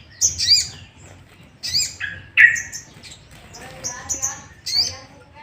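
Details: Sooty-headed bulbul (sogok ontong) song, used to provoke other bulbuls into singing: bright, bubbly whistled phrases with falling slurred notes, delivered in bursts about every second or two, separated by short quiet gaps.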